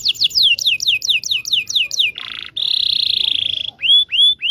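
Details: Training song for young canaries: a run of falling whistled notes, then a buzzy rattle, a long high sustained trill, and three slurred rising-falling whistles.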